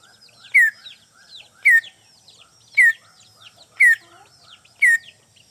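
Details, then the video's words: Greater green leafbird from Banyuwangi, a trapped bird calling out to a rival, repeats a loud ringing downslurred whistle about once a second, each topped by a high crackle, with soft scratchy twitters between. "CUCAK IJO PIKAT MEMANGGIL LAWAN"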